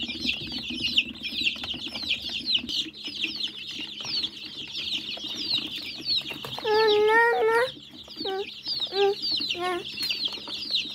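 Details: Hungry chickens in a small group: continuous high, quick chirping from many birds, broken near seven seconds by one drawn-out, harmonic-rich call, then a few short, lower calls.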